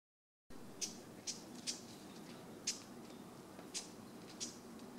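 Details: Japanese bush warbler (Horornis diphone) giving its ground call, 23 December 2013, bird unseen: six dry, sharp tchak clicks at irregular intervals of about half a second to a second, over a soft, steady background hiss.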